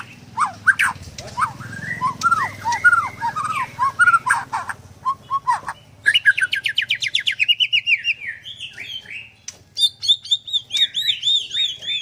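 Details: White-rumped shama at a bird farm in Kendal, singing a rich, varied song: slurred whistles and arched notes at first, then rapid, rising, buzzy trills and high sweet whistled phrases, with a faint low hum beneath.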